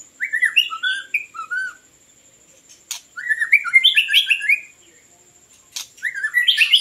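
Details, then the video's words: Song of a white-rumped shama, used as a lure for bird catching: varied bright whistled phrases in bursts separated by pauses, each full of quick slurred notes, over a constant faint high-pitched tone and occasional sharp clicks. "ធ្នាក់ល្វាចេកភ្លើង | White-rumped Shama Hunter"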